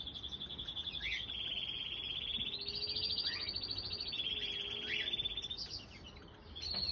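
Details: Common crossbill nest in April 2020 holding two chicks, one and three days old, as their mother feeds them; thin, high, rapidly pulsed notes held in long buzzy runs that step up and down, with short sharp chirps between.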